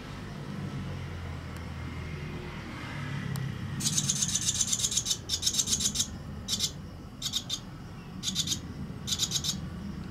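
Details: Barn swallows at a nest, on the day the single surviving chick fledged, 22 days after hatching (19 April 2023), give bursts of harsh, high, buzzy chatter, quickly repeated, over a steady low rumble.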